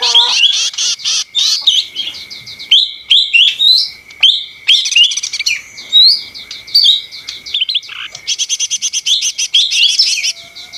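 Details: Lesser green leafbird (ijo mini) singing loudly and busily: dense, fast streams of twittering and buzzy notes, quick slurred whistles and a burst of short, evenly repeated chips near the end, with a steady thin tone behind.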